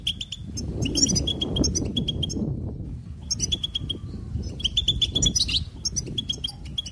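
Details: Goldfinch singing cheerful trills: bursts of short bright chirps with sharp repeated notes at a steady pitch, a brief pause near the middle, over a constant low rumble of background noise.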